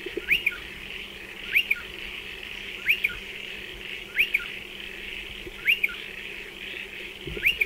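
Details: A striated pardalote at nesting burrows in a dry stone wall repeats a sharp two-part whistled call, an up-and-down note plus a quick trailing note. Six come roughly every 1.3 seconds over a broad hiss.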